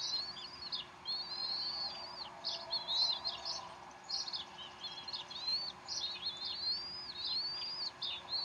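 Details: Decorah bald eagles at the nest on 12 April 2012 during an afternoon feeding by the mother; nearly continuous high, thin whistled chirps, arched and falling, tumbling in quick sequences.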